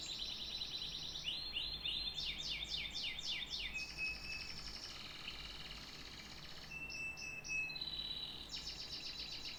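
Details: Canary song mixing rapid trills, a series of descending swoops, a held whistled tone and bright rolling phrases, switching between sections every few seconds.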